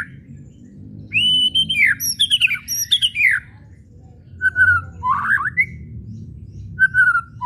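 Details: White-rumped shama whistling and chattering, used to stir other shamas into song: a long series of bright slurred whistles and ticking notes, then short steady whistles alternating with a rising warble.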